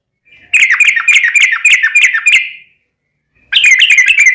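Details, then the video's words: Long rapid-fire song of a yellow-vented bulbul, played to make other bulbuls sing. A two-second run of bright, bouncing whistled notes, a short silence, then a fresh burst begins. "trucukan ropel panjang buat PANCINGAN TRUCUKAN agar bunyi"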